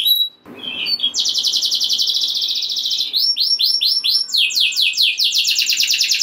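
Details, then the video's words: Canary delivering a rolling song to get other canaries singing: a long, fast, even trill followed by a run of swooping descending whistles and another rapid trill. "Kenari Gacor Ngeroll Nembak Joss! Buat Naikin Emosi Kenari Lain Biar Gacor Ngedur Ngerek"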